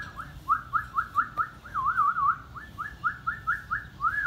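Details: Pet Indian ringneck parakeet talking, giving a quick series of short, clear, upslurred whistled notes about four a second, with a wavering trilled phrase in the middle, over a low hum.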